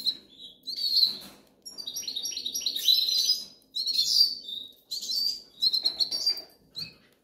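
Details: Hungry goldfinch nestlings from the Canary Islands calling for food, a busy chorus of shrill, buzzy chirps and wavering high whistles in overlapping bursts, with a faint low hum behind.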